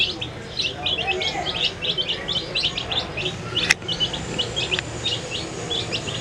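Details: Many dye-coloured baby chicks feeding, their shrill short peeps tumbling over one another without pause; one sharp click cuts in near the middle.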